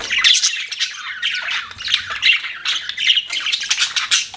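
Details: Budgies chirping and squawking in quick bursts, harsh scratchy notes alternating with short warbled chirps, loud and steady, clustered roughly every half second with small gaps between.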